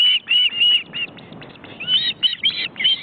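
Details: Osprey chicks in a wild nest in an Estonian forest reserve, watched by a live webcam, nearly fledged and flapping their wings; a rapid series of sharp, high whistled calls in bursts, with faint background rustle.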